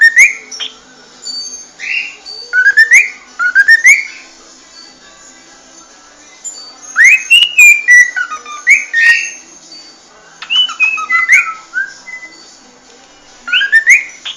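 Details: Cockatiel singing in a small room: bursts of rising, warbling whistles mixed with sharp clicks and chatter, grouped in clusters separated by quiet gaps of a second or two, repeated several times.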